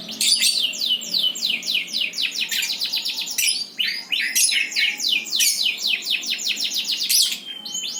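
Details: Birds singing: a fast, lively stream of sweeping downslurred chirps and rapid trills, notes tumbling in quick series with brief pauses, energetic and high-pitched, close and clear.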